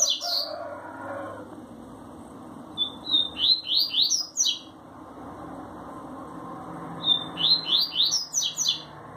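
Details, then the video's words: Coleiro (Double-collared seedeater) singing the "tui tui zel zel" song pattern in two bursts of high, quick song: a thin note, then a rapid run of bright, slurred chirps, with a rougher call at the start. "Coleiro tui tui zel zel lindo"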